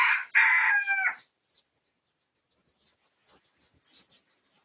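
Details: Research recording of a Pradu-coloured red junglefowl on 18 August 2023: a rasping crow of just over a second, then a series of thin, high chirps from other birds.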